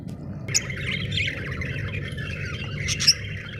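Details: Budgerigars warble in a continuous scratchy chatter, with two sharp squeaks standing out, over a steady low hum.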